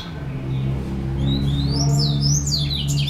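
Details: Well-kept cage seedeater, white-collared, orange-billed, locally named argolinha branca, singing abundantly; bright, fast twittering and rising whistled slurs build through the phrase, set against a loud, constant low electrical hum.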